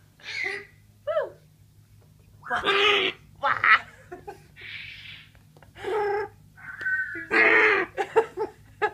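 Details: A pet military macaw, playing with bathroom towels indoors, gives bursts of raspy, laugh-like chuckles, a few squawks and a short steady coo, with a person's voice and a low hum.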